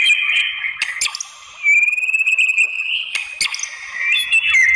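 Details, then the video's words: White-rumped shama singing to provoke rival shamas: a whistled phrase, a brief lull, then a long high trilling run with sharp clicks and a final descending whistle. "MURAI BATU APAPUN Jadi NYAUT NGELAWAN dan BONGKAR ISIAN ¦ PANCINGAN MURAI"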